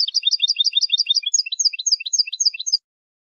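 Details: Quick, liquid twittering from a European goldfinch. Dense high chirps tumble in overlapping pairs for nearly three seconds, then the singing stops abruptly. The background is quiet.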